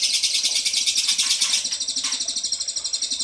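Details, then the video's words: Ashy tailorbird lure call for prompting replies: a dense, unbroken high rattling trill of quick pulses throughout, with faint lower background noise. "PANCINGAN CILILIN DIJAMIN NYAHUT!!"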